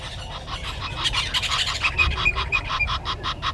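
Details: At a nest tree beside a waterhole in Djuma Game Reserve, Sabi Sand Wildtuin, South Africa, 30 January 2020 at 10:09, a red-billed hornbill gives a quick run of clucking notes that grows louder, over a low hum.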